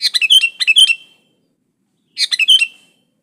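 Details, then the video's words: Sooty-headed bulbul in full song, without mixed-in phrases of other species, meant to prompt other bulbuls to sing: two bright, rapid, gurgling phrases of several tumbling whistled notes, separated by about a second of silence. "Suara burung kutilang gacor Asli tanpa isian Ampuh buat pancingan kutilang gacor"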